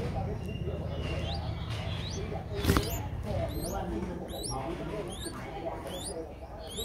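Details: Five-day-old streak-eared bulbul nestlings at Ubon Ratchathani, Thailand, recorded 7 April 2023, give thin, high, upslurred squeaks in quick repeated bursts, with one sharp click midway over a low rumbling background.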